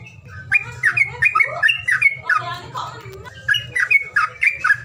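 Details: A bird's calling sound, used to stir birds that are reluctant to sing: quick bright chirps and slurred notes repeated about four times a second, with a pause mid-clip, over a steady low hum.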